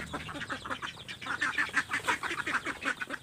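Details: Ducks jostling for feed that has just been scattered for them: a dense, rapid run of harsh, nasal quacks, several birds overlapping, about three calls a second, with faint rustling beneath.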